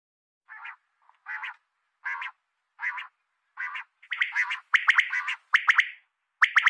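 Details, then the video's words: A female common quail, calling as used for quail hunting, gives raspy, buzzy notes a little under a second apart, then quicker overlapping calls with sharper whistled edges. "Batair Ki Awaz | Common quail Calling | Female Quail sounds"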